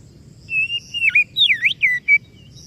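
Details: Oriental magpie-robin whistling a sequence of level notes, downward-bending slurs and a V-shaped swoop, ending in short clipped whistles.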